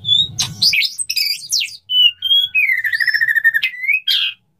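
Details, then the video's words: Courting male white-rumped shama singing to a female before mating, a rich varied phrase of clear whistles, swooping slurs and a fast rolling trill, with a faint low hum at the start. "suara burung murai batu jantan merayu betina, suara burung murai batu mau kawin"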